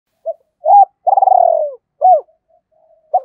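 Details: Decoy spotted dove singing in the 'giọng thổ' voice style to lure wild doves: a short soft note, a long low purring trill falling at its end, then an arched coo, with a further coo starting.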